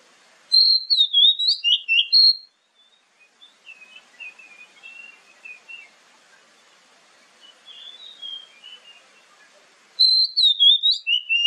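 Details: Oriental magpie-robin lure song for morning and evening, used to prompt other birds to answer: bright whistled phrases of rising and falling notes in two loud bursts, with softer, quieter warbling between them.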